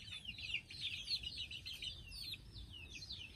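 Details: Chicken chicks settling down to sleep; a dense chorus of high, thin peeps, each a quick downward-sliding chirp, overlapping almost continuously with faint low background rumble.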